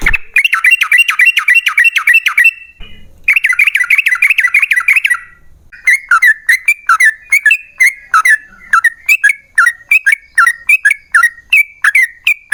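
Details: Yellow-vented bulbul singing a long rapid 'ropel panjang' song, played as a lure to set other bulbuls singing: two fast runs of repeated downslurred whistled notes, followed by a long string of varied, bubbly, chattering phrases.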